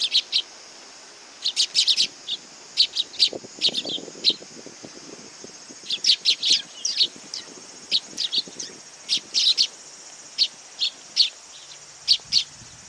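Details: A flock of sparrows comes for food at a Tenmangu shrine on 18 August 2020, chattering in bursts of sharp high chirps that overlap and pause, with faint low murmuring in the background.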